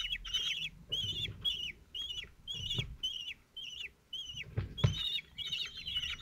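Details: Four 17-day-old common kestrel nestlings, lined up as the male feeds them in the nest on 27 June 2023 at Théding, France, give harsh, bent, drawn-out begging calls about every half second, some overlapping, over low thumps and rustling.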